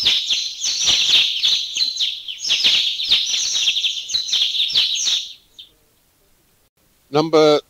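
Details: A flock of about thirty Mountain Bulbuls in a Thai national park chatters densely with high, rapid, overlapping chirps and squeaky notes for five seconds, then a brief spoken voice.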